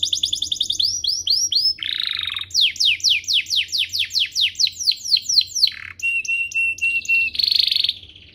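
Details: Domestic canary song used to train young canaries: short trills, a buzzy low rattle, then a long series of descending whistled sweeps about four per second, ending in brief chattering notes.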